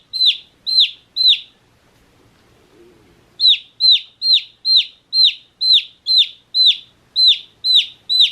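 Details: A one-day-old chick's chirping: three loud downward-sliding peeps, a two-second quiet spell with faint low rustling, then a steady burst of about a dozen high peeps at roughly two per second.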